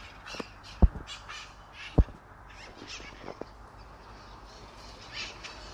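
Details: Mitred parakeets in Sunnyvale trees on 11/04/2020 give rough, scratchy screeches scattered through the clip, with two loud low thumps near the start and a continuous background hum.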